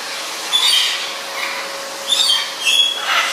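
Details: A female Goffin cockatoo, excited by a vacuum's sound, fluffs, flaps and hangs like a bat, giving five harsh, high screechy squawks about half a second each, irregularly spaced over three seconds against a steady background hiss.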